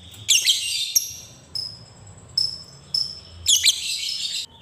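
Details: Lovebird calls meant to stir other lovebirds into singing and learning ngekek: harsh rasping chirps at start and end, with thin high whistled notes in between, spaced a second or so apart.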